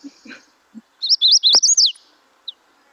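Magnolia Warbler song: a short, quick run of five or six high, sweet, slurred notes, each one rising and falling, over in under a second.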